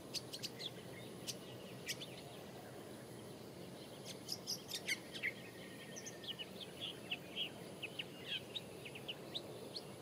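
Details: Long-tailed shrike (Lanius schach), Lorong Halus, 24 April 2016, gives sharp, high chirps and harsh clicking notes, scattered irregularly, over a steady low background hiss.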